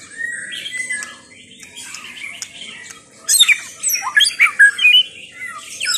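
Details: White-rumped shama song: a quieter, distant-sounding first half of soft whistles, then a louder burst of rich warbled and slurred notes with high chips, phrases broken by brief pauses.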